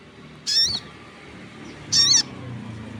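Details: Crested jay calling persistently as other birds respond: two loud, brief, nasal and richly harmonic squawks spaced about one and a half seconds apart, with faint low background rumble.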